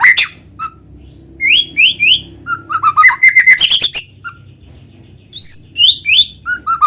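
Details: White-rumped shama in full song, used as a lure to make other shamas sing: clear whistled triplets, a rapid rattling trill of sharp notes, then more slurred whistles after a pause, quiet background.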